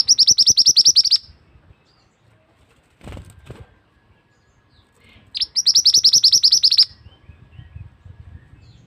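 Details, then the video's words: Male scarlet-headed flowerpecker giving a loud call used as a forest trapping lure: fast strings of high, dry chip notes in two bursts, with a brief soft rustle or thump between them. "Suara pikat burung mandi darah / mantenan jantan"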